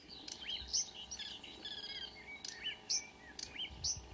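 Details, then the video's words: In June dawn near Kråkstad, Norway, a Marsh warbler mixes scratchy twittering with repeated rising whistles, each followed by a shrill high squeak, roughly one pair every half second toward the end. "The song of a *Acrocephalus palustris* Myrsanger / Marsh Warbler"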